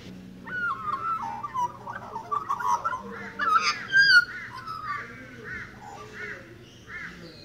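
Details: Magpie singing: a rich, warbling run of fluting and gurgling notes, rising in intensity midway, then settling into a series of repeated, rounded looping phrases about half a second apart, with quiet background hum.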